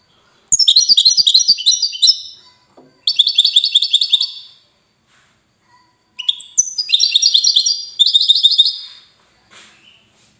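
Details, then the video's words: European goldfinch labelled widani, from Safi, Morocco, delivering repeated phrases of rapid high twitters and trills separated by short pauses, with a few soft faint notes between phrases. "حسون ويداني"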